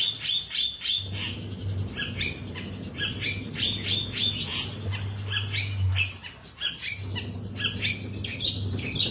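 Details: Long-tailed shrike singing busily: a run of scratchy, squawking and chirping notes, some thin and whistled, others harsh, tumbling on with brief pauses, over a persistent low hum.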